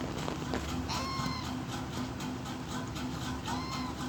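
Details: A baby Alexandrine parakeet, having just been fed, gives two short bouts of soft, squeaky, rising-and-falling calls over a steady low hum and background noise.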